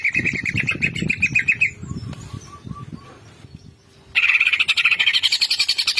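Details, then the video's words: Greater green leafbird with a burst of quick chattering notes, a pause with faint thin whistles and low background rumble, then a loud resumed stream of rapid, high, rattling notes. "CUCAK IJO BONGKAR ISIAN..DIJAMIN CUCAK IJO MAKIN GACOORR"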